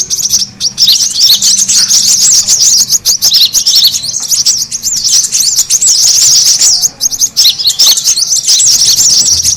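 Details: Brown-throated sunbird twittering played as a lure to attract birds: crowded, high, scratchy chirps in long continuous runs, with a couple of brief drops in loudness, over a faint low hum.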